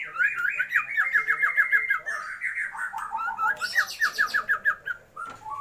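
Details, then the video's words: Female Oriental magpie-robin calling the male to raise his breeding drive; continuous fast stream of slurred whistled notes stepping down in pitch, with a higher chattering burst midway. "Murai BETINA panggil-panggil Pejantan"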